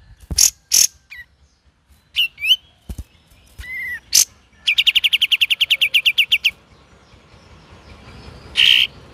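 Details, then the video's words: Cream-vented bulbul in energetic ngeriwik singing: scattered sharp chips and short whistles, then a fast even trill of about a dozen rapid notes, ending with one loud harsh burst. "KAPAS TEMBAK VARIASI GACOR DAN NGERIWIK"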